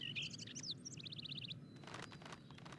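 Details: A territorial male Northern Mockingbird at an Ohio home in spring breeding season, driving off intruders and even his mirror image, sings high whistled and slurred notes, then about eight quick chips and buzzy notes, over a low rumble.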